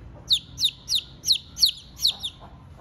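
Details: Insistent peeping from a hungry chicken chick crying for its mother: six loud, piercing, downward-sliding peeps in an even rhythm, roughly three per second, with little else heard.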